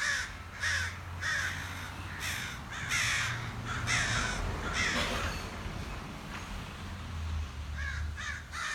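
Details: Several crows outside a back door caw in a loose, uneven series of rough, nasal notes, about one and a half per second, over a low hum.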